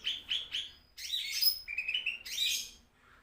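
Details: Green leafbird song used as a tutor recording for training cage birds: three short, bright chirps, then a burst of rich, jumbled warbling and a few clear, high whistled notes, with a faint low hum underneath.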